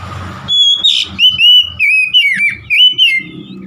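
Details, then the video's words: Caged oriental magpie-robin, a stressed bird said to sing at once; a rich run of loud, clear whistled phrases sliding up and down, mixed with short buzzy notes, over low background rumble. "KACER SETRES MACET BUNYI LANGSUNG GACOR"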